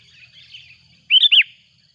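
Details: Loud calling of a sooty-headed bulbul as a rival comes near: faint warbling at first, then two strong, rich, arched whistled notes in quick succession over a constant high background hiss.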